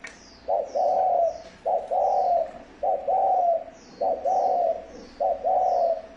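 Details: Spotted dove cooing, used as a decoy call to excite and lure wild doves, recorded 2020 in Vietnam. It gives loud, clear, low coo phrases of a short note then a longer drawn note, repeated about every 1.2 seconds. Faint higher chirps sound in the background.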